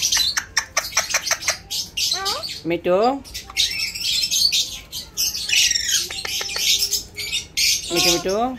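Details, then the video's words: Alexandrine parakeet kept as a pet, talking like a human: harsh squawks and bright chirps mixed with rising, curving speech-like phrases, two short bursts near the middle and another at the end. "Alex parrot talking like a human"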